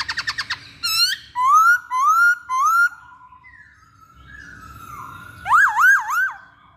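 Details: A masked laughingthrush gives a lure song: a quick burst of short notes, then three loud rising whistles about half a second apart, a softer wavering passage, and finally a rapid series of looping whistled notes.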